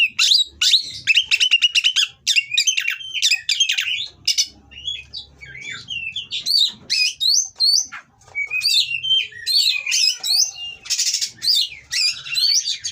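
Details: Oriental magpie-robin of the kacer kawin variety used as a master song, rough material to provoke rivals: fast rattling series at the start, then varied whistled upslurs, mimicry-like chips and harsh buzzes, continuous and loud.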